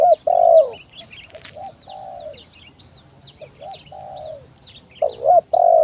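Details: Spotted dove giving lure song to draw rival doves into calling: loud paired coos, then soft short notes and a long falling coo, then loud coos again. Many small birds chirp sharply in the background.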